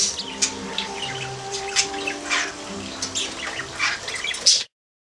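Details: A male household budgerigar courting a female Mozambique finch gives a chattering warble of scratchy, clicking bursts and short chirps, steady for about five seconds, over a low tonal hum like soft music.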